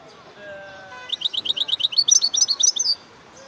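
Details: European goldfinch song: a brisk run of high, bright twittering notes, about four per second, rising slightly in pitch toward the end, preceded by faint low tones.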